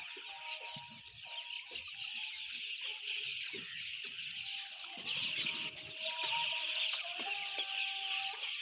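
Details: Around 10,000 white chicks call at once, a relentless high cheeping chorus that grows louder midway, with occasional soft thumps and faint tonal whines below.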